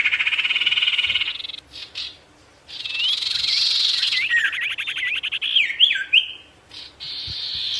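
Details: Sirtu in lively gacor singing, used to provoke wild birds into approaching; quick high chirped notes and buzzy trills, rising and falling sweeps, broken by short pauses.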